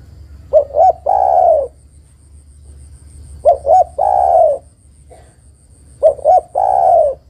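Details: Female spotted dove calling the male, three regular phrases, each two short coos then a drawn-out falling coo, about every two and a half seconds; a faint low hum underneath.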